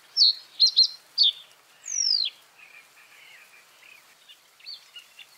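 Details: Common reed bunting singing a quick run of high, clipped notes, followed by a descending slurred whistle and then soft, scratchy twittering at lower pitch in the background.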